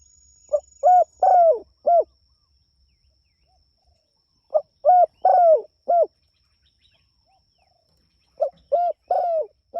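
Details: Spotted dove calling to its companions, giving three matching four-note phrases at roughly four-second intervals. Each has a soft lead note, a clear coo, a drawn-out falling coo and an ending coo. Faint steady whine throughout.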